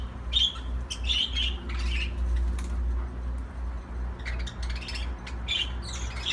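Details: Budgerigar giving scattered squeaky chirps in two short bursts separated by a quiet gap, over a steady low hum.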